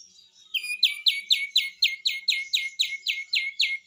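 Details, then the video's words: Besetan song of a kapas tembak, or cream-vented bulbul, singing gacor: after a short soft lead-in, a long steady run of loud, clipped, downslurred chirps repeats about four times a second. "SUARA BESETAN KAPAS TEMBAK ‼️ GACOR ‼️"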